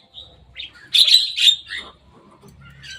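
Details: Javan myna visiting the top of a cage: a brief run of scratchy, squawking notes, loudest in the middle, then fading to quiet rustling.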